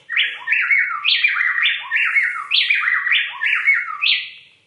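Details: Plain-tailed Wren pair from high Andean slopes (about 7,500–10,000 ft) sings a learned duet, male and female alternating loud, sliding whistled phrases so rapidly they interlock into one continuous, rollicking song that sounds like a single bird.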